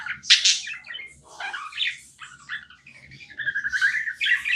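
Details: Tame pet budgie chattering: sharp squawky notes at first, then a jumble of buzzy chirps and a steadier high warble toward the end.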